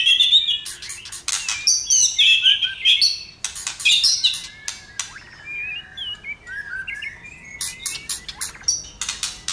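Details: White-rumped shama, excited and flicking its tail, singing to stimulate other shamas: vigorous whistles and harsh notes with clicks for four seconds, then softer, quicker twittering phrases and scattered ticks.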